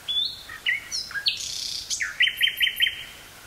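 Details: Common nightingale singing in woods near Burgh-Haamstede, Netherlands, 18 May 1983, taped on a portable cassette recorder with stereo microphone: varied whistled notes and slurs, then a run of four quick rising chirps.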